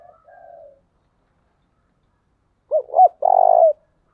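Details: Spotted dove decoy bird used to train doves: a quieter trailing coo, a pause, then a loud phrase of two quick looping coos and one long level coo.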